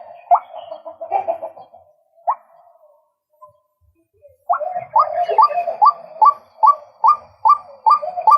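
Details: Male White-breasted waterhen giving short upward-sweeping croaks, a few scattered notes, a brief pause, then a steady run of about two to three notes per second.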